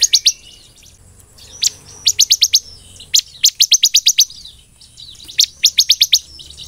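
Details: Ciblek, the bar-winged prinia, singing 'belalang emas' phrases: three quick runs of five to seven piercing high chirps separated by short gaps.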